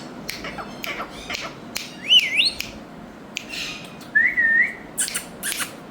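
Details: Ringneck parakeet pairs: sharp clicks and squawks punctuated by two whistled phrases, a wavy rising-falling note and later a short upward-then-level slur, with more harsh bursts after.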